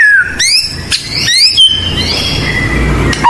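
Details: White-rumped shama, blorok type, in persistent lure song for training birds: a descending whistle opens into several rising whistled sweeps, then long drawn-out sliding tones, loud and close with slight room echo.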